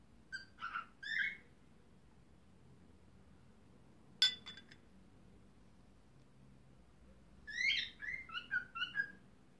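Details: A two-year-old male cockatiel sings its courtship song after being let out of its cage, in short bursts of bright, whistled chirps and warbles.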